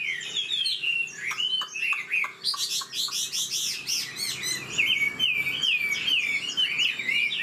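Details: Old Chinese hwamei taken from the wild, caged, sings brisk phrases: sharp notes and whistles, a dense buzzy warbling stretch, then repeated smooth downslurred whistles.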